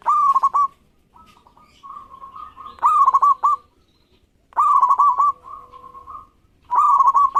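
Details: Local zebra dove singing steadily to provoke rivals into answering: loud stuttering coo phrases every two seconds or so, linked by softer runs of pulsed cooing notes.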